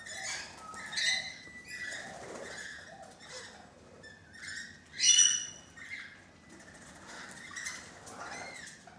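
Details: Thirteen rainbow lorikeets on a balcony chatter at a distance with scattered, softer screeches and one louder shrill squawk, amid rustling and flapping.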